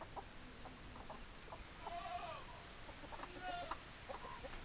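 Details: Backyard chicken clucking softly: scattered short clucks with a couple of longer harmonic calls in the middle and near the end, over steady low background noise.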